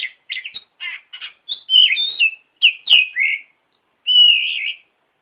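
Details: Oriental magpie-robin song used as a training model for other birds: a run of short chattering notes, then clearer whistles falling in pitch, ending with one long sweet drawn-out whistle.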